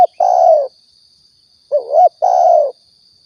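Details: Spotted dove from Riau, used to lure birds for hunting; a long falling coo, a pause, then a wavering rising note and another long descending coo, over a constant thin high tone.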